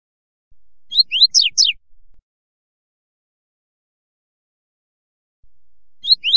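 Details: A double-collared seedeater sings a short song (fibra) used to teach young birds: a phrase of quick, high, sweeping notes, repeated after a pause.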